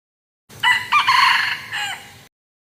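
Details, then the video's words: One crow from a wild junglefowl: a bright, multi-part call. It opens with two short notes, then holds a strong wavering tone and trails off in a lower, fading tail. No other sounds are present. "suab qaib qus qua zoo"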